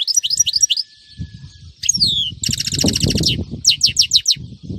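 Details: European goldfinch, recorded on a Friday in 2018, giving bright twittering phrases with quick slurred notes, a descending whistle and buzzy rattled bursts, over a steady low rumble of background noise.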